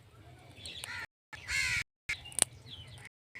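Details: Indian ringneck parrot uttering a loud, harsh screech between softer scratchy notes in a brief burst of calling.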